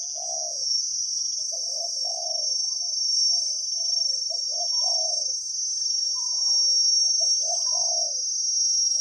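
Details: Wild spotted dove with a big voice responding to a decoy: rhythmic mellow coo phrases repeated across nine seconds, occasional higher notes, under a continuous high-pitched insect trill.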